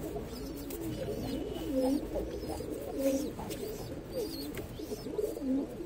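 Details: Pigeons near an ash-coloured baby pigeon, indoors: low, soft coos, several rising and falling in arches, overlap one another, with faint higher chirps and a constant room hum beneath.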